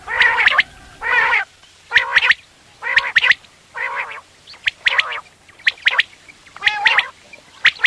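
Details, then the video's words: Morning hunting lure of quail calling: repeated harsh, nasal bursts, each about half a second long, alternating with sharp whistled pips. The pattern repeats roughly every second over a quiet background. "Batair awaz / quail sound / subah shekar k leye batairon ki behtareen awazy"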